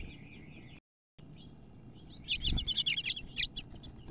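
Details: House finch, two females fighting over a nest, the newcomer evicting the chicks near fledging: faint repeated chirps, then a loud burst of rapid, high, scratchy chirps and chatter lasting about a second with a low thump.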